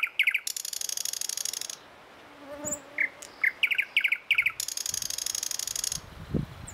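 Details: Thrush nightingale's morning song: long, buzzy mechanical rattles break into strings of separate sharp chip notes, then another extended rattle, with a soft low thud near the end.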